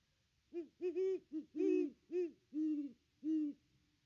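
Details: Great Horned Owl hooting at its nest tree on a nest camera, 25 December 2021: seven low, mellow hoots in uneven pairs and singles over about three seconds, each rich in overtones, with quiet surroundings.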